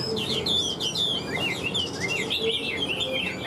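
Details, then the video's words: A caged Hwamei's rich song of tumbling whistles, each phrase looping and bending in pitch, delivered continuously without pause. "Họa mi vip đuôi lá vả cứng, hót cực tốt đấu tốt"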